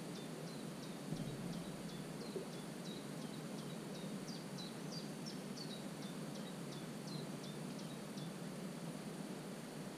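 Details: Young common cuckoo in a marsh warbler's nest, 27 June, calling persistently with brief high squeaky notes that drop in pitch, repeated quickly in an irregular stream over ten seconds, with constant low rushing noise beneath.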